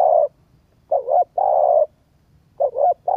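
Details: Spotted dove cooing to stimulate a decoy bird: mellow, hollow coos in short grouped phrases with brief pauses between them. The background is quiet.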